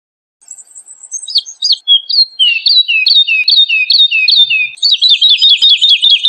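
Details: A woodlark sings clear, liquid whistles, repeating a falling two-note phrase several times a second, then speeding into a fast rippling trill.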